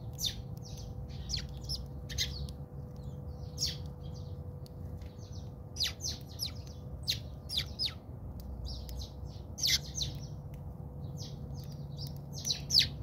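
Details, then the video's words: House sparrows fighting in a backyard in South Africa, keeping up dense, excited chirping from several birds, with sharp notes piling up in quick runs and louder peaks throughout, over a low background hum. "Watch Interesting Sparrow fights in my Backyard"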